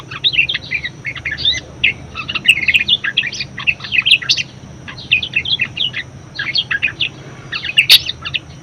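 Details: Budgerigar warbling song recorded as a master for other birds, long runs of rapid chattering chirps and squeaky notes broken by a short pause, then resuming.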